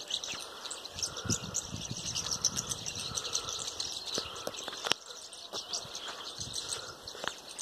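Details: Hundreds of mynas gathered in a tree keep up a dense, continuous din of harsh chattering, squawks and whistles, many birds calling over one another at once.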